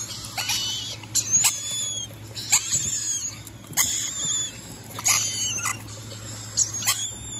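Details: Rainbow lorikeet giving shrill, harsh screeches in short bursts, about 44 a minute, each broad and rasping, with gaps between and a steady low hum underneath.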